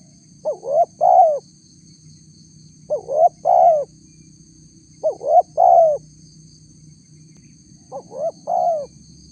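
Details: Spotted dove lure call used to draw a response from wild doves: soft, low hooting coos in short multi-note phrases, each phrase repeated about every two and a half seconds, with a faint steady high tone throughout.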